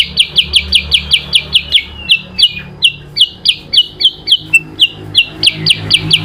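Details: In an adu kicau singing contest, a yellow-eyed babbler (kutilang sutra) faces an Oriental magpie-robin (kacer). Rapid piercing downslurred notes run quickly, then slow and dip briefly lower before speeding up again.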